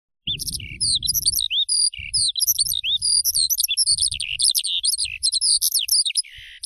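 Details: Eurasian skylark singing a fast, unbroken stream of high twittering and chirruping notes with quick rising and falling slurs; a low rumble of wind or handling noise fills the first second.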